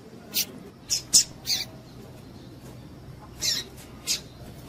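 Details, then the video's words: Calls of a female double-collared seedeater, used to excite males: a burst of four brief, high, clipped chips in the first two seconds, then two more spaced chips near the end, with faint low hum behind. "PIADO DE FÊMEA DE PAPA CAPIM PARA DEIXAR SEU PAPA-CAPIM DOIDO"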